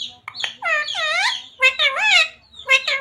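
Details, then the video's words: Parrot talking, saying "radhe radhe" in a rapid, squawky, high-pitched mimicked voice; three connected phrases with swooping pitch run almost without a break. "Parrot talking radhe radhe | राधे राधे बोलने वाला तोता"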